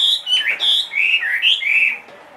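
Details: Rich, loud whistled phrases from a caged two-and-a-half-year-old Chinese hwamei, a big-bodied bird, slurring up and down in quick succession before fading out.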